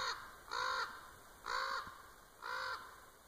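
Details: Common raven at Winlock, Washington, on 3-10-2017, perhaps drawn in by a person's clicking: four deep, hoarse, rich croaks, each about a third of a second long, given roughly once a second.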